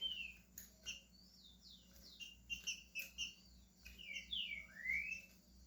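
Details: Green-winged saltator in Brazil beginning to sing: faint, rapid series of slurred whistles and chips over a steady background hiss, ending with louder downward-sliding notes.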